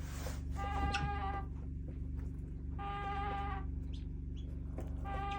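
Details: Weird sounds from a backyard flock of chickens: two long nasal, reedy calls with a few sharp clicks between them, set against a loud constant low hum.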